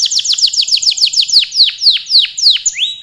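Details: Canary singing a long, energetic song: a fast run of sharply descending high whistled notes, about six per second, gradually slowing and spreading out, ending on a rising note.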